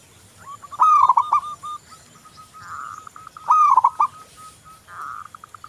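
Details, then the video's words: Local zebra dove, song used as a lure: two loud stuttering coo phrases with a fast wobble, each trailing into softer short cooing notes, with purring trills from another dove between them. "Perkutut lokal Gacor Anti Galau"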